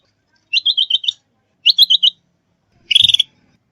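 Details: Sooty-headed bulbul lure call for trapping and training: three fast bursts of repeated high chirps, the first two clipped and stuttering, the last denser and harsher, with a faint low knock.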